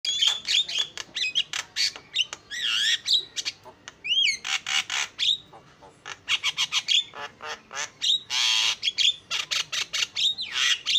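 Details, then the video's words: Javan myna singing vigorously with isian fill-in material: a dense run of harsh, buzzy bursts mixed with short whistled notes and rising slurs, delivered in rapid, uneven succession with brief gaps. "JALAK KEBO SUPER GACOR SUARA ISIAN"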